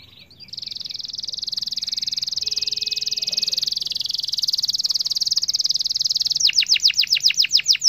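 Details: Atlantic canary performing a long continuous roll to stir other canaries into song; an extended, even, buzzy high trill lasting about six seconds, ending in a few loud downslurred whistled notes.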